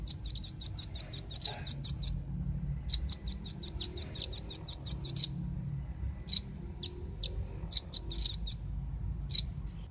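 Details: Velvet-fronted nuthatch lure recording used to attract birds: bursts of sharp, very high chipping notes delivered about six per second, a long run, a pause, another run, then scattered single notes.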